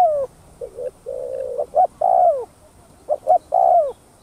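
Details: Spotted dove coos, thúc gù style, for luring doves into calling: a falling coo, a run of low wavering notes, then loud paired coos ending in long downward slides, the phrase repeated twice.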